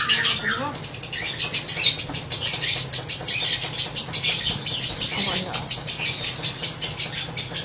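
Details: Lovebird giving the long ngekek, a 'ngekek panjang' style: a sustained, rapid chattering of harsh, high pulses repeated several times a second without a break, over a noisy background.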